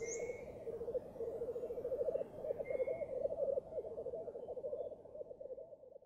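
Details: Black Grouse males lekking at dawn on a bog early in the season. A steady, low, rolling bubbling chorus runs throughout, with brief thin whistled notes near the start and around the third second.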